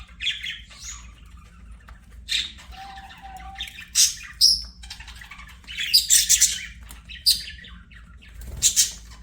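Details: Budgerigars singing while playing: rasping squawks and sharp chirps in spaced bursts, with a low whistled note in between, over a steady background hum.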